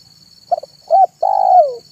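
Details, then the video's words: Zebra dove singing in the afternoon as a decoy for wild birds: quick double note, a rounded coo, then a long vibrating coo that falls in pitch, with a constant high whine in the background. "SUARA BURUNG TEKUKUR MANGGUNG DI SORE HARI"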